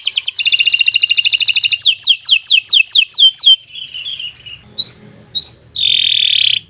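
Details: Canary in long, energetic song used to get other canaries singing: a buzzy trill, then a series of rapid, high downslurred notes, fading into scattered chirps and ending with a harsh sustained buzzy note.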